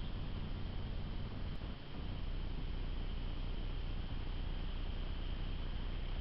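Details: Steady broadband hiss with a faint constant tone and low rumble, like a quiet machine or camera noise, with no animal sounds.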